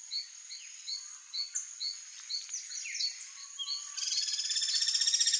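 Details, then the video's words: Alarm call of the Guira cuckoo (Guira guira), a gregarious bird: a run of short, clear chirps repeated about every half second, then a loud, harsh, fast-pulsed rattle from about four seconds to the end. "CANTO de alerta do ANU-BRANCO (GUIRA GUIRA), GUIRA CUCKOO"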